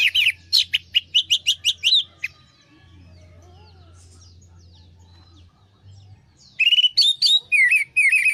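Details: Orange-headed thrush lure song to prompt a stressed, silent bird: a fast string of repeated chirped notes, a quiet stretch with low hum, then more rapid, rolling warbled phrases.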